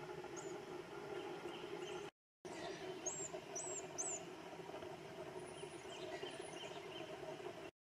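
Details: Blue-gray Gnatcatcher, one of a newly migrated pair building a lichen-covered nest in a tree near an old mill pond, gives thin, very high, slightly nasal call notes in a few scattered short bursts over a steady low rumble like distant traffic.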